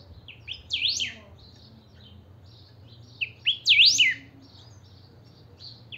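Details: Saffron finch (chiviro) kept as a pet, in full song to rouse other chiviros: bright rapid chirps building to loud swooping whistled V-notes, twice in six seconds, with softer twitters between phrases.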